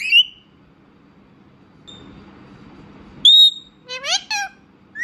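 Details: Pet Indian ringneck parrot mixing clear whistled notes with a few rapid, nasal speech-like syllables after a long silent pause, indoors with faint background hiss.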